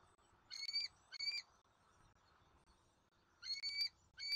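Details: Nest camera at a Southwest Florida bald eagle nest, 13 January 2024, at eaglet E23's dinner feeding with F23 and M15: ringing, harmonic squeals in pairs, a gap of about two seconds between pairs, over faint background hiss.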